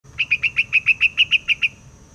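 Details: A white-crested laughingthrush, a decoy bird out in the forest, sings nonstop: a quick run of about eleven identical bright, mid-high notes, evenly paced at roughly eight per second, over a faint low rumble.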